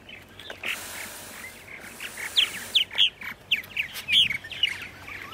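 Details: Purple martins, part of a large number newly arrived at nest sites in Center Moriches, Long Island, New York, at 8:30 AM on 14 April 2012, give a run of rich, gurgling chirps, about two per second, after soft background hiss.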